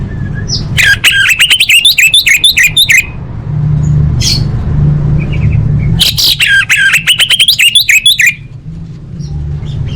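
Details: Full isian song of an orange-headed thrush, recorded as training material for contest birds: two long rapid runs of clipped, rising-falling notes packed densely for about two seconds each, with a low rumbling background.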